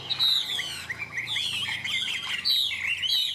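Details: A caged Chinese hwamei, a big-bodied, yellow-legged bird noted as a good loud singer, sings a loud, rich, unbroken run of varied whistles and slurred warbling notes, rising and falling quickly, with no other sounds noticeable.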